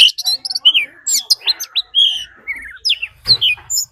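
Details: Oriental magpie-robin fighting song mixed with a wild female's calls: rapid varied chirps, short slurred whistles and high twittering notes tumbling together, with faint low rumbling in the background.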